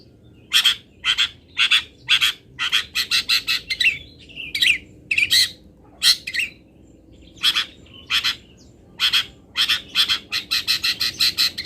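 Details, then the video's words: Local long-tailed shrike (cendet lokalan) singing its fill-in song used as training material for songbirds: a long run of harsh, rasping, broadband notes in short bursts, some clustered in quick doublets and triplets, with a faint low background hum. "ISIAN WAJIB BURUNG CENDET"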